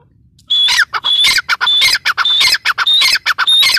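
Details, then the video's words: Loud grey francolin calling: grating, repeated phrases of short harsh notes and thin whistled tones, roughly one phrase every half second, delivered without pause against a quiet background. "Teetar ki awaaz | तीतर की आवाज | তিতির আওয়াজ | El sonido de una perdiz | ਇੱਕ ਤਿੱਤਰ ਦੀ ਆਵਾਜ਼"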